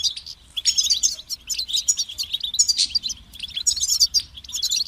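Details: European goldfinch song from a kept bird: nearly continuous bright twittering, tinkling and rattling notes rising and falling quickly, with only brief breaks; soft low background hum.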